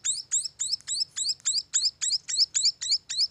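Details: Short burst of munia chick calls: piercing, upward-flicking high chirps spaced evenly at about three per second.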